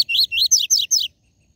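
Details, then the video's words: Coleiro's TUI TUI ZEL ZEL song, used to excite caged seedeaters. Five loud, rapid, high downslurred whistled notes in an even run lasting about one second, then silence. "COLEIRO e PAPACAPIM CANTO TUI TUI ZEL ZEL"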